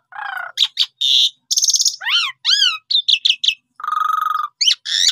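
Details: Jalak suren, or Asian pied starling, singing in a lure recording meant to draw birds into song: a harsh buzzy opening, rapid stacked whistles, rising and falling slurred notes, then a long grating rasp and closing chirps.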